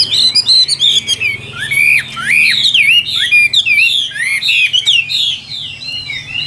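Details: Caged Chinese hwamei singing energetically: tumbling whistled phrases with looping up-and-down slurs, quick repeated notes and bright high flourishes, nearly continuous over several seconds.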